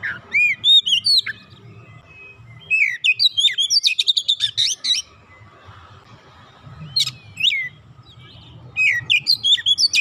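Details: Oriental magpie-robin song meant to prompt a silent bird to sing: whistled slurred phrases, a dense rattling run of chirps, scattered sharp notes and later more whistles over steady low background noise.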